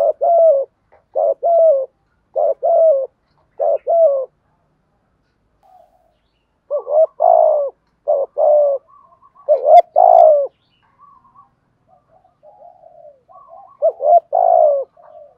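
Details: Decoy spotted dove giving driving coos to provoke wild doves. Quick series of paired mellow coos, a pause of a couple of seconds, then louder coos and softer, quieter murmured notes toward the end.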